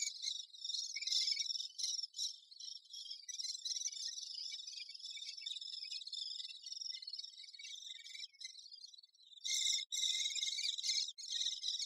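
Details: A great spotted woodpecker busy with its young: a dense, high, hissing chatter that runs on almost without pause, swelling in short bursts and surging louder near the end.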